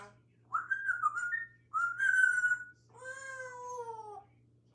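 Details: A four-year-old pet African grey parrot chatting indoors: three drawn-out, speech-like whistled phrases, the first two wavering and mid-pitched, the last a smooth, harmonically rich falling tone, over a steady low hum.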